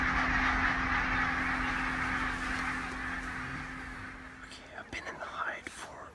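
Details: A massed chorus of yapping calls comes from hundreds of barnacle geese wintering in southern Scotland, recorded from a hide before sunrise. The chorus fades away, and a few clearer single honks and sharp clicks follow near the end.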